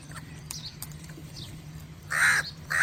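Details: Crow calling other crows: after faint scattered chirps and a steady low hum, a loud harsh caw bursts out near the end, followed by the start of a second caw that is cut off.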